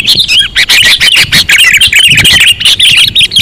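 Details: Very sensitive lure sound of sooty-headed bulbul: a stream of busy, twittering chirps with looping warbled notes, dense and almost unbroken.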